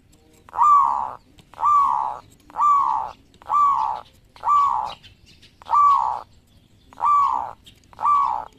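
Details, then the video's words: Zebra dove, local type, cooing repeatedly; each phrase a mellow, slightly descending rolled coo near one pitch, repeated about once a second for eight phrases with short pauses between. "Perkutut Lokal Gacor"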